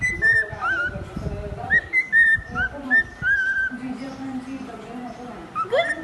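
A male cockatiel whistles the notes of a familiar birthday tune in clear, flute-like phrases.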